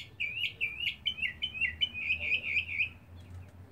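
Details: Male mockingbird singing and displaying in a back yard, apparently seeking a mate: a rapid run of repeated high, chirpy looping notes for about three seconds, then quiet with faint low hum.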